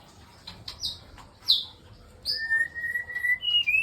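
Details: Male white-rumped shama kept on a bird farm, singing in the morning. Scattered sharp high notes lead into a long, clear, level whistle and then a few higher whistled notes.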